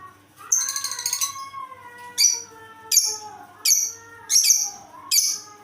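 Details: Lovebird with a strange call: a brief, fast, buzzy trill, then five harsh, piercing chirps about every 0.7 seconds, with a quiet rising and falling tone underneath.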